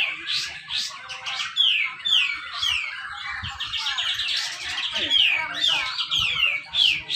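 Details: Grey-cheeked bulbul (cucak jenggot) singing at a pole-hung bird contest in Malinau, North Kalimantan, dense 'besetan rapet' style used to provoke idle birds. Repeated sharp downward whistles about twice a second, mixed with busy chirping and occasional knocks.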